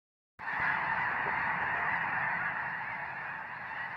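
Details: Flock of snow geese calling together, a dense continuous chorus of overlapping nasal honks and yelps starting abruptly after a brief silence, steady and unbroken throughout.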